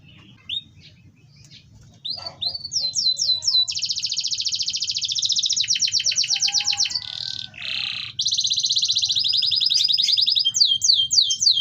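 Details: Canary song meant to stimulate silent canaries and females in breeding condition: scattered chirps, then rising whistled phrases, long fast rattling trills, a lower buzzy burst and more rolling trills, over steady low hum.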